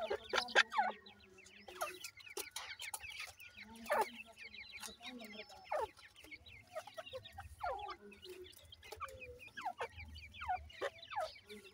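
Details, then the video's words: Many francolin (teetar) chicks peep continuously, short high slurred notes tumbling over each other, with occasional louder clicks and a low hum beneath throughout. "mere jani teetar k khobsorat bachay,bhura titar k chicks"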